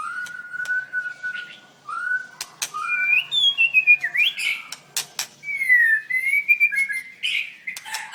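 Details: Contest-singing white-rumped shama delivering a varied song of clear whistles, a long steady tone opening, then rising and falling slurred phrases interspersed with crisp clicking notes.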